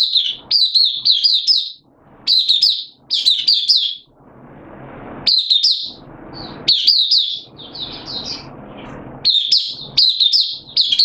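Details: Hobby-kept oriental white-eye singing openly: repeated bursts of sharp, fast, high warbling phrases about a second long, separated by brief lulls filled with low hiss.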